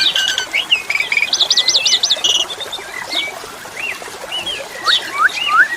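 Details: Asian pied starling song with a fast rippling trill, clipped whistles and scattered upward-swept notes, delivered in lively bursts over a soft wash of flowing water.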